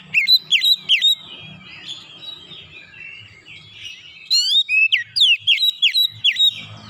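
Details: An Oriental magpie-robin sings in 'nembak' style, shooting out loud repeated slurred whistles, then a subdued mixed warble, followed by a fresh run of about eight sharp, high downward-sweeping notes.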